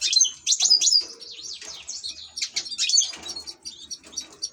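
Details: Loud European goldfinch song from an ornamental bird: fast tinkling twitters and slurred whistled notes run together, with brief pauses between phrases.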